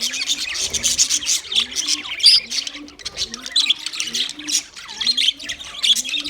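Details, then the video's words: Several white male budgies in mating chatter: busy high twittering and squawks, with a soft low rising note repeating about every half second beneath the chirping. "White Males Budgies Chirping sound Parrots mating sound"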